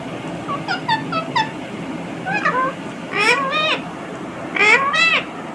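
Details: Pet Indian ringneck parakeet chattering: quick series of short high notes, then several loud bent harmonic syllables in word-like phrases imitating human speech, repeated in bursts.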